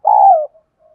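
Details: Spotted dove used as a decoy to rouse other doves, one long level coo sliding downward at the end, followed by faint soft notes.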